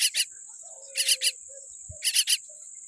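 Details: Tiny baby common myna born with a weak beak: harsh, buzzy chirps in quick clusters of two or three, separated by pauses, over a steady high insect-like drone.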